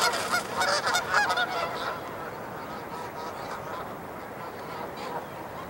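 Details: Canada geese at Dufferin Islands on 9 December 2022, squaring up for a fight that never really developed, honk loudly and raggedly in an overlapping chorus, strongest in the first two seconds before fading to scattered calls.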